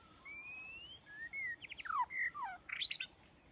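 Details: Song of a white-rumped shama played to lure birds into a trap: long clear whistles sliding upward, then rapid rattling trills, falling slurs and a sharp high burst near the end.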